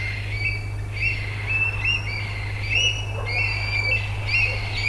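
Two Eurasian Stone-curlews calling together in a noisy chorus of shrill, wailing whistles, overlapping and rising and falling irregularly, over a steady low hum.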